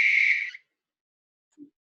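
A Barn Owl gives one harsh, hissing screech lasting about half a second. It fades quickly and is followed by a faint low knock.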